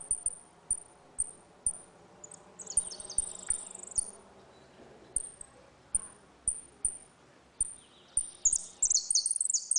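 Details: Saffron finch singing a ringing 'retinido' style song in a dispute, used to teach young birds: sharp, very high ticks repeated about every half second, then bursts of fast, descending whistled notes.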